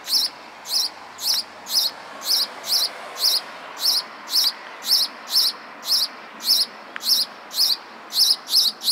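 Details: Sparrow singing a steady run of short, bright chirps, each a quick twisting note, repeated roughly every half second for the whole stretch over a faint background hiss.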